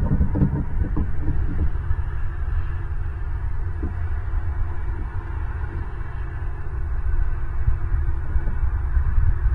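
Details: Steady low rumble and hum with faint tonal music throughout, and no animal calls.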